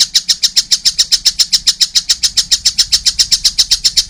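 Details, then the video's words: Young collared kingfisher delivering a steady, rapid series of harsh chattering notes, close and loud throughout. "wow masih kecil udah gacor , anakan burung tengkek buto"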